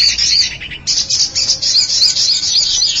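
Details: Common iora lure sound: dense, high, shrill pulsed chattering, briefly interrupted, then resuming with quick notes of about four per second and thin slurred whistles.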